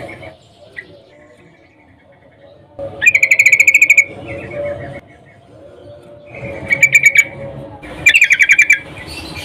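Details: A sooty-headed bulbul female in breeding condition calls a male, a recording meant to draw males: three fast rattling runs of many short bright notes, the last two close together, over low steady background hum.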